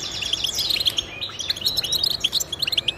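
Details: Goldfinch warbling used to motivate other goldfinches to sing: a steady stream of quick, high, tinkling notes and twitters running without pause for the whole stretch.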